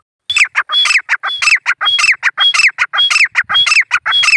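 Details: Grey francolin calling, a loud, rhythmic series of harsh notes each paired with a short high whistle, repeated in even pairs about twice a second, close and clear with no other sounds.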